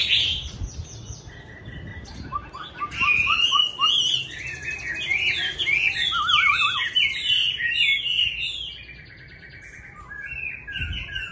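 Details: Chinese hwamei singing to greet a new day, a fast, varied stream of clear whistles, zigzag trills and sharp rising and falling notes, with short repeated phrases, loud in the middle and softer toward the end.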